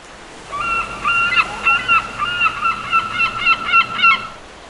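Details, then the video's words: Gulls resting at the beach on a lazy day: a rapid run of loud, nasal, laughing notes, roughly twelve in four seconds, steady in pitch, over faint surf. "Lazy Day Seagulls At Beach"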